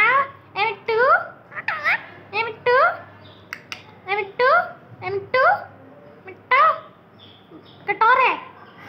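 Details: Green parrot talking: a run of short, tonal, speech-like syllables with swooping, rich harmonics, delivered in bursts roughly every half second to a second with brief pauses, against a quiet indoor background.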